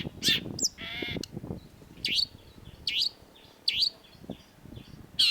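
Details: Long-tailed shrike master song for training caged birds: loud, harsh, scratchy notes spaced about a second apart, with soft high twitters between and some rustling.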